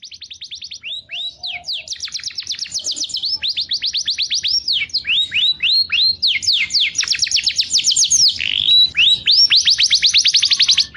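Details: Canary calling its companion in a clear voice: fast runs of bright downslurred notes in rolling trills, switching between several repeated phrase types with brief gaps, high-pitched and continuous throughout.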